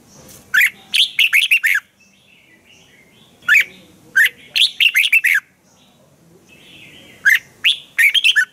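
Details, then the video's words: Spirited Red-whiskered bulbul, a Thai cage bird, sings a crisp training song of rapid phrases, each five or six punchy warbled notes, repeated three times with brief soft notes between. "นกกรงหัวจุก | เจ้ากวนอู เสียงร้องริก คึกจัด คมชัด ครบเครื่อง เสียงฝึกร้อง"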